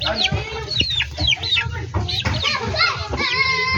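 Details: Backyard poultry flock of chickens, hens and roosters kept by a breeder: a run of short, high, downward-sliding peeps overlapping one another, with a steady low hum and a few clucks beneath.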